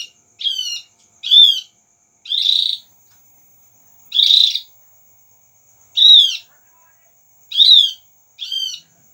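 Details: Lure call of the Javan grey-throated white-eye, used to prompt a reply: a series of brief high chirps, some arched and some buzzy, spaced roughly one to one and a half seconds apart, over a faint constant high hiss.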